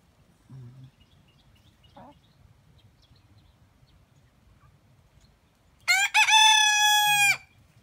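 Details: Rooster crowing: after faint low sounds, a single loud, harmonically rich crow lasting about one and a half seconds, starting with a short broken note and then holding a steady tone that ends abruptly.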